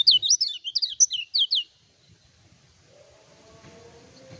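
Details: Lemon-bellied white-eye in full song, not on doping, used to provoke rival birds and for song training: a quick run of eight high, sweet downslurred whistles over about 1.5 seconds, then near-silence with a faint low hum.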